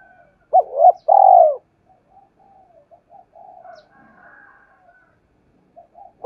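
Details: A single spotted dove phrase, used to provoke others to coo: two short hoots and a loud, rolling, descending trilled coo, then quiet, faint low warbles, with a new hoot starting at the end.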